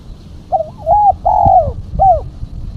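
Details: Female spotted dove calling as a lure: a loud, quavering sequence of three or four mellow coos, the middle one longest and fullest. Low background rumble.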